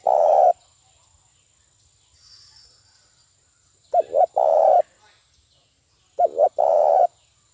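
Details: Spotted dove decoy call used to lure doves for trapping: the end of one coo, then two phrases of two quick notes followed by a longer rolling coo, over a faint constant high tone.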